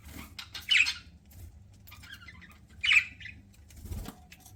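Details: Budgerigar chirping as it eats, two loud harsh squawk-like bursts about two seconds apart, with soft chattering notes between them and a dull knock near the end.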